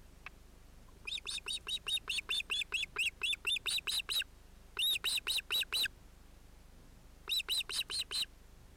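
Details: Osprey at its nest with chicks on 31 July 2018, Finland: bursts of rapid, sharp, arched whistled yelps, about two to three per second, separated by short pauses.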